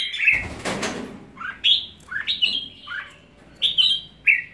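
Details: Red-whiskered bulbul giving separate short liquid whistled phrases, about one every half second, after a brief rustling noise at the start.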